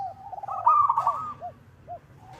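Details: Local zebra dove calling a rival, used as a lure: a brief rolling trilled coo, followed by a few soft, lower, arched notes.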